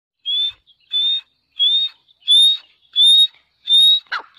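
A grey partridge gives six harsh, grating, high-pitched notes in a steady series, about one every two-thirds of a second, ending with a brief click.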